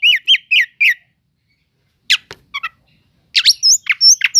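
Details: Oriental magpie-robin song used as a provoking lure: four quick whistled notes, a pause, a few scratchy chips, then a burst of sharp notes and high whistles.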